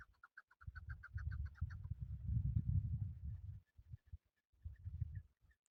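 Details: Male chukar partridge used for hunting gives a quick series of short, evenly spaced clucking notes for under two seconds, then a heavy low rumble of handling or wind noise covers the rest.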